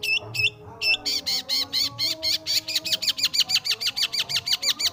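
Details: Long-tailed shrike (pentet/cendet) in full, varied song: a few hooked whistled notes open, then a fast, steady train of harsh, buzzy, wavering notes about four to five per second, loud and insistent, with a faint low background hum.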